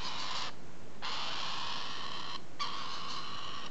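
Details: Galah screeching loudly and almost continuously, rasping harsh calls broken by two brief pauses.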